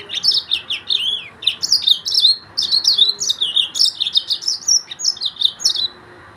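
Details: Yellow-fronted canary of Mozambique singing a lively, continuous stream of sharp chirps, downslurred whistles and rolling trills, ending in a moment of quiet.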